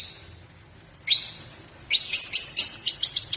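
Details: White-rumped shama song played as a lure to get other birds singing: a thin high whistle, then a burst of sharp bright chirps repeated quickly in a short rattling run.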